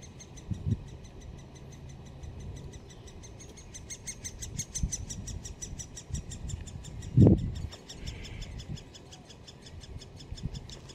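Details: Great spotted woodpecker chicks at Solleveld on 26 May 2018 chatter from the nest while awaiting a feeding parent. Quick, regular high ticks continue throughout, with a loud knock around the middle and scattered low thuds.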